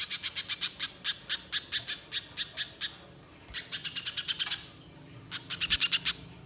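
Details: Spiderhunter in full, active voice, a long chattering recording meant for luring birds in the wild: three bursts of sharp, high, dry chips fired rapidly in series, separated by short pauses.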